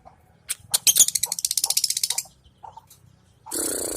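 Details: Lovebird practising its song while sunbathing in the hot midday sun; a rapid run of high buzzy chattering notes, roughly fifteen pulses in under two seconds, then a brief rasping burst.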